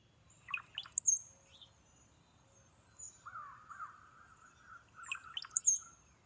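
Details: Brown-headed cowbird recording played in Northern Virginia woods one morning: low liquid gurgles, like drinking then sighing, ending in a thin, very high whistle, twice in about five seconds, a softer warbling bird between; thought to be migrating north from Central America.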